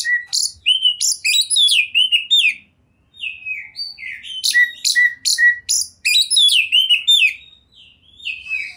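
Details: Champion-class Oriental magpie-robin (kacer) in full, rich song, 2021: a fast, varied run of whistled and chattering phrases, many sliding notes, with brief pauses between bursts.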